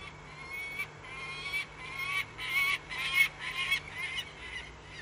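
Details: A Peregrine Falcon gives its warning call, recorded 14 January 2018 at 12:43: harsh, nasal, grating calls, about eight or nine in quick succession, roughly two per second, with faint background hiss.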